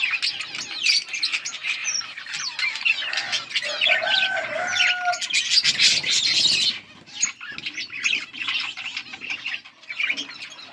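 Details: Budgies chirping on August 15, 2024: busy high twittering and scratchy warbles from a group, joined by low sustained whistled tones midway, and the chatter dipping after about seven seconds.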